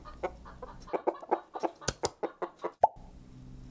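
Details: Chicken clucking in a quick run of short, low notes, with a few sharp clicks or taps mixed in and a brief higher tone near the end.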